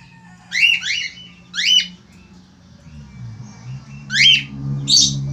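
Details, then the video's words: A male Australian finch gives loud, buzzy, doubled squawks with pauses between them. A louder rumbling hum rises in the background during the second half. "FALK AUSTRALIA JANTAN GACOR"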